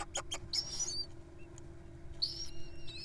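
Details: Wild little owls at feeding time: two rasping, hissy screeches with thin whistled chirps from other birds and a few sharp clicks at the start, over a steady background hum.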